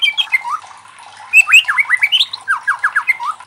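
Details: Loud White-rumped shama song meant to challenge other shamas to sing, with sharp rising whistles, then a rapid run of repeated upswept notes and a final slurred phrase.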